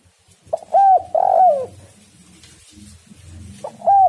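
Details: Spotted dove (tekukur) lure call: a throaty coo phrase of two or three mellow notes, the middle one drawn out and slightly falling, then a quiet gap with low rumbling before a new coo begins.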